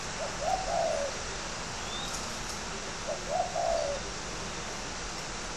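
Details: Spotted dove, a caged fighting bird from a northern Vietnamese bird garden in Ba Vì, Hanoi, gives two low, husky cooing phrases, each a short note then a longer drawn-out falling coo, over steady background hiss.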